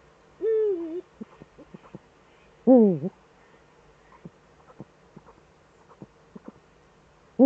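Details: Both Eurasian eagle-owls back in the Eifel, Germany, evening of 11 March 2013, 18:47; a low, drawn-out falling call, scattered clicks, then a louder wavering call, with another starting at the end.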